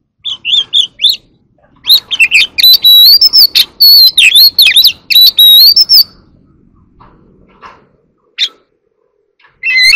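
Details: Oriental magpie-robin singing in competition: a loud, varied run of whistled phrases and sharp chirps around mid-to-high pitch, dense for about four seconds, then scattered short notes and brief pauses before another burst at the end.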